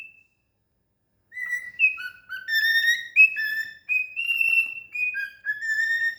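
A cockatiel sings a run of clear whistled notes, some sliding up and down, with brief pauses.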